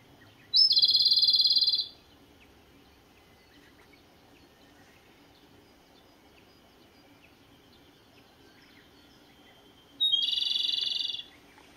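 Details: Japanese robin singing on 10 June 2017: two loud, bright trilled phrases about a second and a half long, one near the start and one near ten seconds, each opening with a sharp higher note, quiet background between.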